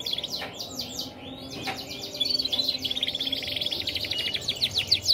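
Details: Song of a Red mosaic x Waterslager crossbred canary: quick falling chips, then a long, rapid trill of evenly repeated high notes that swells louder toward the end.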